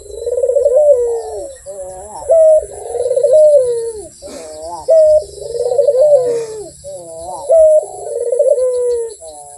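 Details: Vigorous cooing of a Barbary dove (puter): repeated rolling, slurred coos, each with a short bright note at its start, recurring about every two and a half seconds, with a couple of brief rustling noises in between.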